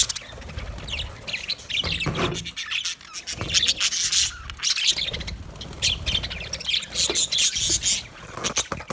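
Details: A flock of budgies in an aviary chatters without pause: scratchy high warbles, chirps and sharp clicks overlap, with faint wing sounds.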